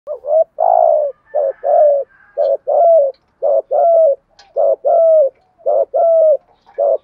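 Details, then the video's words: Spotted dove giving its 'gù thúc' urging coo, used as a decoy to provoke other doves. Deep, throaty coos are delivered in steady paired phrases, a short note then a longer rolling one, repeated about once a second with no other sounds. "Tiếng chim cu gáy gù thúc bài bản, tiếng chim cu gáy kích bổi và tập mồi nghe rất xiêng gáy"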